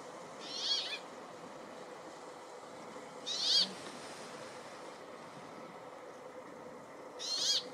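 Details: Brambling in Finnish woodland near Ruka delivering rasping, high-pitched buzzing notes, three spaced roughly three seconds apart, each short and wheezy, against a constant soft rushing background noise.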